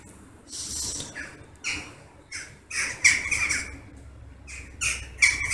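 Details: Western jackdaws massing at their evening roost in August, hundreds gathering and circling overhead; short harsh squawky calls come in separate bursts roughly every second or two, some overlapping, against quiet background.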